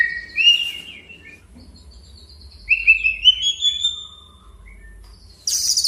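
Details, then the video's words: White-rumped shama challenging a rival to provoke it: two separate bright whistled phrases, each a short rising note drawn into a level trill, with quiet gaps and a harsh burst of noise at the end. "Suara kicau Murai Batu Panggil Lawan agar EMOSI DAN KELUARKAN ISIAN!"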